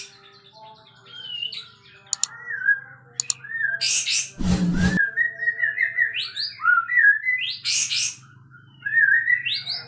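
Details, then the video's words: Sooty-headed bulbul, a caged songbird displaying with its tail spread, giving loud whistled phrases that slur up and down, with scattered chirps, a brief burst of broadband noise midway, and a low steady hum underneath. "Suara Kencang Beset Kapas Tembak"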